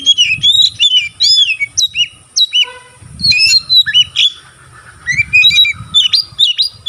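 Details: Caged white-rumped shama opening its tail while singing, sound said to stimulate other shamas: looping whistled notes and chirps in rapid phrases, a short falling series of tones midway, soft low thumping in the background.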